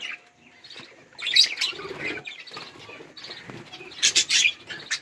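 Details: Budgerigars give soft warbling chatter that swells into louder sharp chirps and squeaks, several birds calling together as they eat and play.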